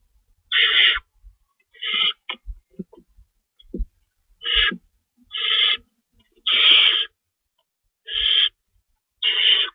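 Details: Owl at night, March 22, 2012, 11:50 PM, as a rabbit is delivered; about nine short, harsh hissing screeches spaced irregularly, mixed with soft clicks and scuffling thumps.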